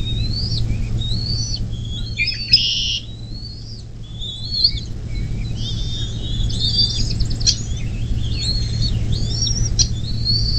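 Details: Bald eagle calling at its nest near South Lebanon, Ohio, USA, 24 May 2024 around 10 am: rapid, thin piping whistles in irregular runs, one harsher buzzy burst early on, over steady low hum from the nest camera.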